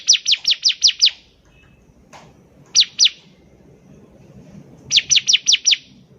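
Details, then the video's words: Bar-winged prinia (ciblek) singing as a lure for raw birds: a run of six quick, shrill chirps, a short two-note phrase, then five more sharp notes, with quiet gaps and low background noise. "PANCINGAN CIBLEK GACOR || CIBLEK BAHAN PASTI CEPAT BUNYI"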